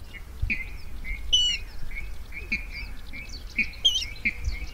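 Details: Rail calls for luring into nets at night, 2020: fairly soft short notes repeated irregularly, with two brief high squealing bursts and a faint twittering layer over low hum.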